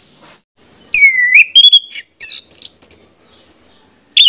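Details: Orange-headed thrush song, played to stimulate birds to sing: a long whistled swoop and quick chirps over a high background hiss, with brief silences between phrases.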